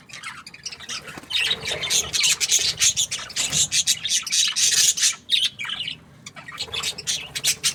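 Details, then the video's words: Budgies in an energetic flurry of sharp, high chirps and rasping squawks, delivered in rapid uneven bursts of about three to four per second, with a short drop in activity before resuming. "Budgies parrot chirping sounds"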